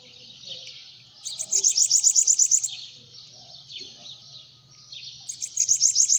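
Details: A hand-held bananaquit delivers a fast, glittering series of high, squeaky notes lasting about a second and a half. Thin wheezy sounds follow, then a second burst starts near the end. A faint low hum is in the background.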